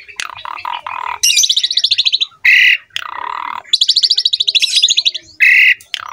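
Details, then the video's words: Asian pied starling in lively full song with rich fills, offered as a tutor recording for young starlings to copy: low harsh notes, then a fast buzzy high rattle of rapid pulses and a short clear note, the sequence running twice. "MASTERAN BURUNG JALAK SUREN GACOR FULL ISIAN MEWAH MUDAH DITIRU OLEH JALAK SUREN MUDA"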